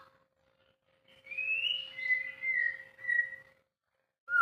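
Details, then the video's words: White-rumped shama giving a short whistled phrase of drawn-out, slightly wavering notes after a second of quiet, then a sudden sharp note at the end; faint steady hum throughout. "proses bunyi harus sabar,telaten.tanpa di edit langsung upload aja #murai #muraibatu"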